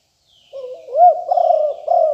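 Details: Lure call of a fierce Liu Tan strain spotted dove, recorded in 2021 for attracting wild doves. A short low lead-in, then a single emphatic coo and a drawn-out, trailing coo.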